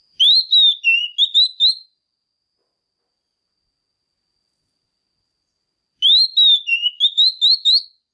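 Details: Oriental magpie-robin hen in full song to stimulate males, giving two short bursts of sweet whistled notes, rising then dipping, separated by about four seconds of silence.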